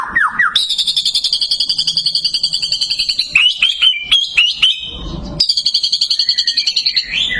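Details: White-rumped shama delivering long rapid buzzy trills, pulsed several times a second, broken by a cluster of sharp downslurred chips before the trill resumes.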